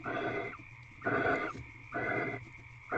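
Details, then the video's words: Barn owls courting in an owl box at Corral on a February evening in 2023, tenth night of mating: lower, breathy rasping bursts about half a second long, coming quickly in a regular series, with steady hum in the background. "Barn Owl Mating Ritual"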